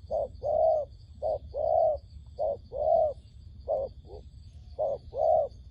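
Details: Wild dove lure call for trapping, short and longer swelling coos alternating in loose groups, somewhat irregular in spacing, over a faint steady high hum.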